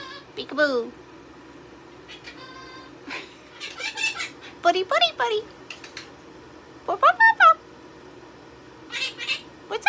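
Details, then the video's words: Indoor pet Quaker parrot (monk parakeet), a male sitting quietly beside its owner, producing scattered talking phrases: short rising and falling nasal syllables, squeaky inflected notes in small bursts with pauses of a second or two. "Sapphire the Talking Quaker Parrot"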